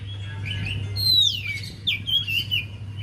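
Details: Javan white-eye song, played as a lure to coax a quiet bird into singing: a high, thin, sliding whistle that sweeps down, then sharp rising-falling whistled notes, over a steady low hum.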